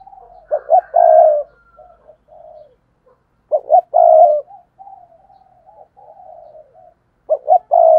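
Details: A spotted dove decoy in 2022 giving its luring thúc and gáy gọi calls: loud bursts of coos with long held notes, alternating with softer, lower, drawn-out murmured coos between them.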